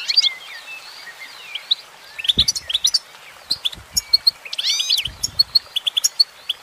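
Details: Singing female goldfinch gives sharp, high chirps and rapid twittered phrases that speed into a quick run near the end, with a few low thumps in the background.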